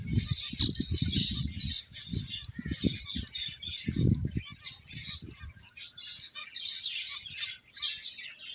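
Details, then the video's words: Finches chirping together in a dense, continuous chorus of high, short tweets and twitters, with low thumping and rustling sounds underneath. "Cute Birds Chirping Sounds | Beautiful Finches Playing"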